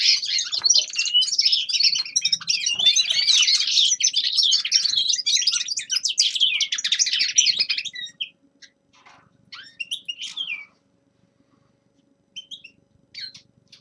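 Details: Eight seconds of unbroken, rapid high twittering from a young male common linnet singing in winter, followed by scattered single chirps and sweeping notes with long quiet gaps.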